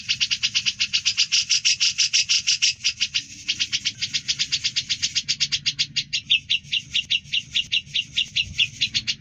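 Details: Grey-cheeked bulbul song used to train other cucak birds: a long, fast chatter of high notes that later loosens into spaced, lower, more distinct chips.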